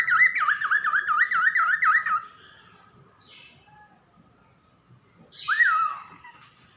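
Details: A female cockatiel gives a rapid, wavering whistle that rises and falls like a siren, then a single whistled note.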